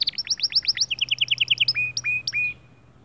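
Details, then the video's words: White male canary's motivating song: a quick run of upswept notes, then an evenly repeated trill, then three drawn-out falling-rising whistles before a short silence. "أفضل 8 دقائق تحفيزية ذكر كناري خرافي"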